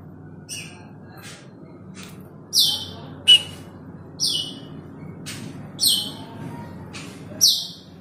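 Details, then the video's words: Asian glossy starling calling to a rival: sharp, high, scratchy chips repeated at uneven intervals of roughly one second, some louder and ringing, over a steady low background hum. "Cucak Keling memanggil lawan"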